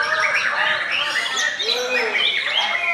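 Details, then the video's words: Ramadan afternoon contest song of a young murai: a steady stream of bright chirps and short whistles, a low arched note near the middle, over a busy chorus of competing birds. "ngabuburit bareng Murai Muda"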